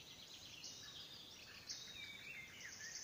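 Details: Icterine warbler singing at Pälkäne Salmentaka on 12 June 2017: a steady run of high, chattering and scratchy notes, with a few brief whistled slurs, over faint background hiss.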